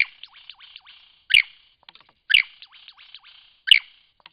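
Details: Song of a lyrebird at Cape Liptrap Coastal Park, with three strong crackling bursts spaced just over a second apart and a busy run of faint rattling and slurred notes between them.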